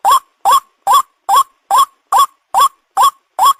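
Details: Harsh croaking notes of a white-breasted waterhen, played to draw in birds for catching: nine rising, rough-edged calls spaced evenly over a few seconds, fast and mechanical in rhythm, nothing else audible.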